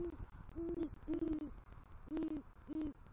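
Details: Great horned owl at a nest tree at night in southwest Florida, November 3, 2023, a male arriving with rodent prey and calling for the female; five low, soft hoots, each slightly downslurred, spaced about half a second apart.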